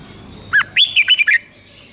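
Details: Five-syllable doubled-style song of a Red-whiskered bulbul, Thailand: one short sharp note, a pause, then five rapid liquid whistled notes that bounce up and down, over faint low hum.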